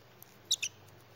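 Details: A young female pet parrotlet, chirping with joy while eating broccoli, gives two quick, high, thin chirps in close succession against a quiet background.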